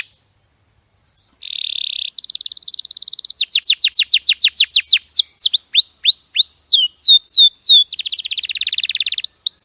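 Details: Canary singing a champion-style training song in clear quality, opening after a brief pause with a buzzy tour, then fast rattling trills and rows of bright upswept and downslurred whistles, ending in another buzzy roll.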